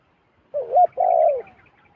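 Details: Wild zebra dove coming down to a decoy: a wavy coo rising to a sharp bright point, then a long steady burry coo that falls at its close, followed by faint thin chirps.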